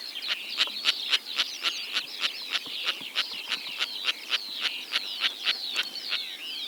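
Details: Sociable lapwing calls recorded in Kazakhstan: rapid series of sharp, clicking notes about three to four per second, overlaid with high, twisting chirps and short trills from one or more birds, steady throughout.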